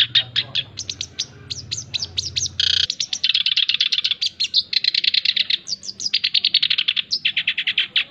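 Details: Male black-browed reed warbler pouring out a fast scratchy song, recorded to train and lure birds: rising flicked notes, then dense rattling trills and harsh chatter in near-continuous runs, briefly interrupted by an edit break.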